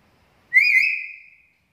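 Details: Black-capped lory used to train and lure other lories. It gives a single high whistle that wavers briefly at the start, then holds steady and fades over about a second.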